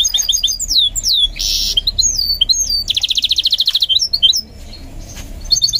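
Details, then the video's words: Goldfinch mule being trained to sing: high twittering song of quick rising and falling whistled notes, broken by a harsh buzzy burst and then a rapid rattling trill before more sweet chirps, with low background hum. "Training My GOLDFINCH Mule to Sing"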